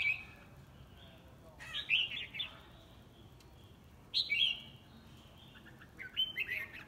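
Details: Competitive song of a red-whiskered bulbul, heard as three short, clear whistled phrases spaced a couple of seconds apart, each a quick, lilting warble, with soft hiss between them.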